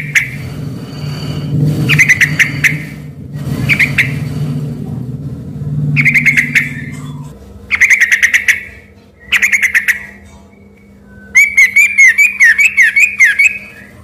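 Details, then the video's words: Vigorously singing sooty-headed bulbul delivers clusters of sharp whistled notes, ending in a longer wavering warble, while vehicle rumble fills the background during the first half. "semula di kira suara burung MURAI BATU beneran eh ternyata cuma suara TRUCUK GACOR"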